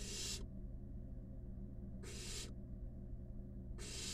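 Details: Harsh hissing snores from five wild barn owl nestlings sharing a nest box. One rasp ends as the clip opens, a full one comes midway, and another begins near the close, spaced about 1.7 seconds apart, with a low background hum.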